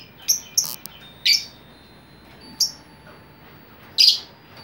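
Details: Lovebird chatter used to attract fellow lovebirds: a handful of piercing, high, clipped chirps spaced a second or so apart, with a short shriek at the end.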